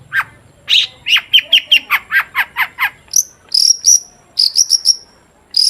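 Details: Long-tailed shrike singing as a lure to make shrikes sing: a rapid series of descending chip notes followed by high, thin whistled phrases repeated in short bursts.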